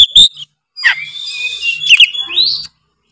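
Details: Oriental magpie-robin, Tretes kacer, singing to provoke other birds: a couple of sharp high notes, then a sustained, wavering buzzy whistle ending in a rising slur.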